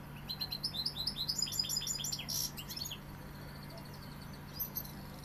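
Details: Sevillian European goldfinch delivering a fast, liquid twitter of high, rapid notes for about three seconds, with one brief buzzy burst in the middle, then quiet except for a single late chirp; low electrical hum throughout.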